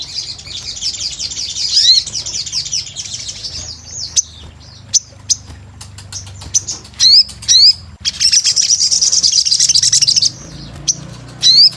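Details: Sunbird, actively singing, used as a lure sound: a rapid high chattering trill, scattered sharp clicks and short upslurred squeaks, then another fast sizzling trill.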